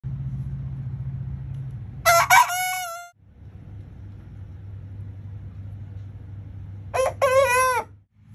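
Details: Young roosters crowing, two short harmonic crows about five seconds apart, each breaking off abruptly after under a second, over a steady low rumbling hum.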